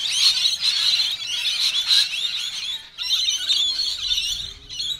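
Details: A feeding frenzy of rainbow lorikeets in suburban Melbourne, feisty and fighting one another over food, produces a dense, continuous wall of harsh screeching and squealing from many birds, briefly dipping midway before resuming.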